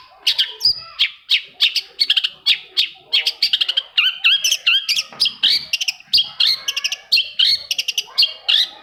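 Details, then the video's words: Long-tailed shrike song used to stimulate silent, lazy shrikes to sing, a dense unbroken stream of sharp chattering notes, whistles and buzzy phrases delivered rapidly throughout. "PANCINGAN AMPUH!!! UNTUK MEMANCING CENDET PENDIAM YANG LAGI MALAS BUNYI"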